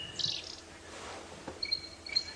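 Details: Stierling's wren-warbler (barred warbler) calling from trees on a morning safari drive on 29 July at Djuma Game Reserve area, South Africa: high, thin whistled pips in a short series after a brief buzzier note; faint background hiss.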